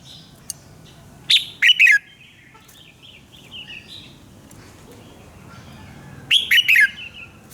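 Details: Red-whiskered bulbul's morning song recorded for training birds: two bright phrases of three quick descending notes about five seconds apart, separated by soft, low warbling.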